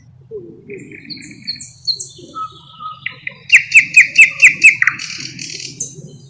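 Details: Thrush nightingale song from a songbird that imitates other bird species: thin sustained whistles at several pitches, then a loud rhythmic run of six sharp clicking notes, ending in a buzzy trill, over a steady low rumbling hum.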